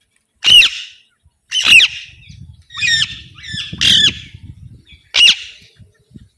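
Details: Alexandrine parakeet giving loud, harsh squawks, five hoarse calls spaced roughly a second or more apart, each a raspy burst, with faint low rustling between them.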